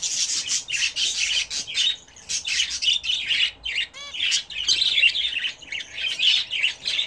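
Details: Pet budgerigars bathing indoors at home, chattering continuously with dense scratchy warbles and chirps, one clear rising-falling whistled note midway, little pause throughout.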